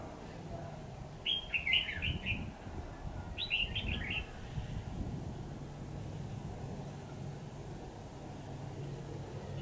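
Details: Red-whiskered bulbul used as a decoy for trapping, recorded 28 September 2019: two short, bright warbled phrases of quick descending notes about two seconds apart, over a steady low rumble of background noise.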